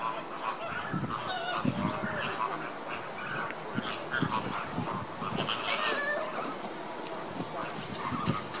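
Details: A flock of Caribbean flamingos in August 2014 keeps up a dense, overlapping chorus of nasal, goose-like honks and grunts, with a steady background murmur.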